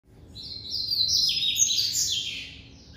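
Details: White-collared seedeater, a bred bird, singing the classic song: a continuous warbled phrase of sliding, slurred high notes lasting about three seconds, loud and clear over a quiet background.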